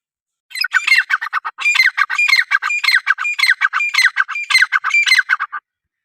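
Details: Irani teetar, a francolin, giving a sustained harsh call: about five seconds of dense, scratchy rasping notes in quick phrases, each phrase sometimes opening with a short whistled tone. The bird is loud and close, with a quiet background.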